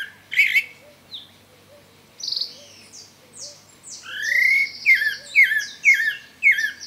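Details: Pale-breasted thrush singing freely in nature: scattered clear whistled notes build into rapid repeated slurred phrases, about two per second. A soft low repeated whistle sounds beneath throughout.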